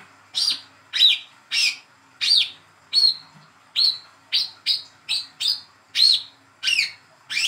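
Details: Young hand-raised speckled Olive-backed sunbird, just starting to call, used as a lure to get silent birds to sing: twelve sharp, high, upswept chirps about every half second, with slight buzzy variation.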